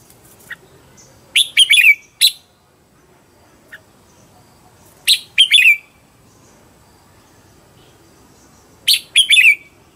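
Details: Decoy red-whiskered bulbul in Vietnam, used for training and luring wild birds, repeating a short, rapid, chattering whistled phrase roughly every three to four seconds against a quiet background.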